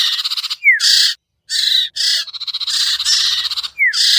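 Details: Lure call of the sirtu bird, meant to bring birds down: grating buzzy bursts, each often preceded by a sliding downward whistle, with pulsed stuttering chatter in between.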